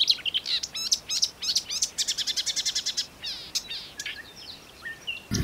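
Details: Marsh warbler in Russia delivering a rapid, chattering song: quick buzzy bursts and a run of evenly spaced sharp ticks, then scattered thin whistles and short slurred notes toward the end.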